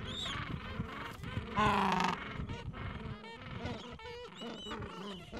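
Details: Gentoo penguin colony in the Falkland Islands on a mild afternoon, adults caring for nests and chicks two to three weeks old; one loud harsh bray early, then scattered pulsed, nasal calls from several birds.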